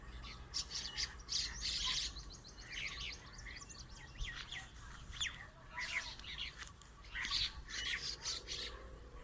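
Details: Many birds chirping together in a date tree: overlapping bursts of high, thin twittering and quick chirp runs come and go, over a steady hiss of background noise and a low rumble.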